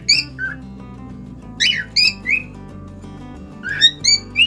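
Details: Singing cockatiel in a cage: brief whistled notes, a pause, then a cluster of ringing chirps and rising whistles at the end, with music in the background.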